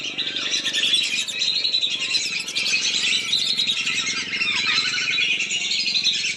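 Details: Lesser whistling ducks calling, played as a lure to draw them down: an unbroken, loud wash of overlapping high whistles and twittering notes with no pauses.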